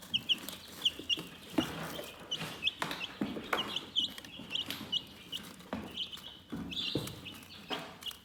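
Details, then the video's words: Chickens softly chirping in a calm setting; bursts of quick high peeps come in clusters, mixed with sharp clicks and scratching noises between them. "Chicken Relaxing Soothing Chirping Sounds"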